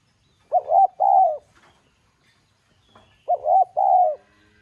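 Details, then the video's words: Spotted dove giving a 'giọng son' urging call used to make domestic doves coo quickly; two mellow phrases about three seconds apart, each a quick double hoot leading into a longer steady coo, with faint rustles between. "Tiếng Cu Gáy GỌI THÚC Giọng SON"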